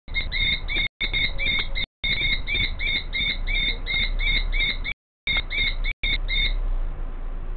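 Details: Calling female common kestrel, heard while the male prepares the nest scrape in front of her; long trains of quick, piercing repeated 'kee' notes with brief breaks, fading at the end, over a constant low hum.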